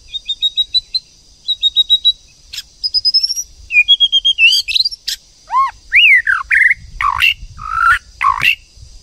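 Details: Female and male white-rumped shama, the female provoking the male into song: rapid trilled bursts of thin, high notes, then ringing downslurred whistles, swooping notes and rasping phrases, densely packed and varied throughout.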